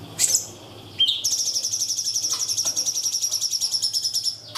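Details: Cungkok tembakan song meant for tutoring young birds: a sharp high burst, then a rising note launching a long, steady, very rapid high trill of about three seconds.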